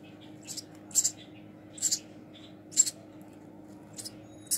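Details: Baby house sparrow being hand-fed indoors; harsh, high, scratchy squeaks in short double bursts, roughly one each second, over a steady low room hum.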